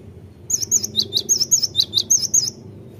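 A great tit gives a quick run of about eleven high, sharp notes, roughly five per second, over a faint low rumble.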